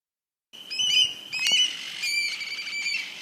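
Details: Eurasian Stone-curlews, rare summer visitors in England, call as they fly over one evening: eerie, high, wailing whistles with several voices overlapping in a near-continuous shrill chorus.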